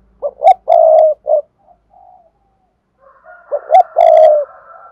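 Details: Spotted dove cooing vigorously, a recording meant for luring wild doves: low hollow phrases of two short coos, a long drawn-out coo and a brief tail note, heard twice about three seconds apart, with silence between.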